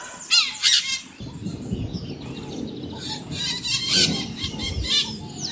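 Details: Maritaca parrot giving harsh, raspy screeches in two short bursts near the start and again midway, with lower scattered chatter between and a low rumbling background.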